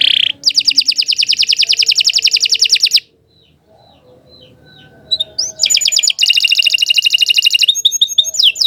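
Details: Canary tutor bird pouring out a long, rapid trill for about three seconds, pausing, then resuming with scattered chirps and another dense rolling trill.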